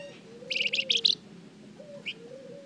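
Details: Flamboyan bird singing as a lure for other birds: a short cluster of four buzzy, high chirps followed by a single note, over a steady low humming tone.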